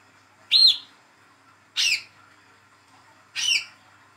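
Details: Olive-backed sunbird, a young spotted bird raised by hand, calling: three loud, high, slurred chip notes about one and a quarter seconds apart, the first with a clear descending whistled edge, against near silence.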